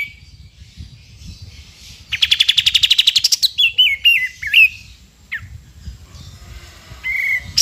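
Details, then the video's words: Sooty-headed bulbul, a lively singer used for training other songbirds such as the white-rumped shama: a fast rattling burst of rapid high notes, then clear whistled slurred phrases and scattered chirps, with quiet low background noise. "KAPAS TEMBAK GACOR FULL NGEPIK BESET"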